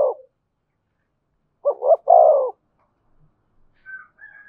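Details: Low-voiced 'giọng thổ' cooing of a spotted dove in 'thúc' and 'kèm' style: the tail of one coo, then one clear phrase of two short notes and a long hollow coo, followed by faint higher notes.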